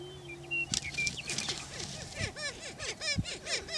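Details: Greater prairie chickens on a Washington County, Kansas lek, displaying for breeding territory; a short low boom gives way to a burst of wing noise, then a fast run of harsh arching cackles from several birds.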